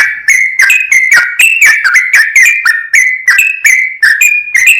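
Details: Continuous full ropel singing from a sooty-headed bulbul: dense, fast whistled notes with sharp attacks and slurred pitch, with no gaps and no other sounds.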